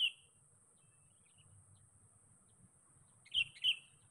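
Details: Sooty-headed bulbul, a lure call meant to draw a rival: one bright note at the start, a quiet gap with low rumbling, then two clear whistled notes close together near the end.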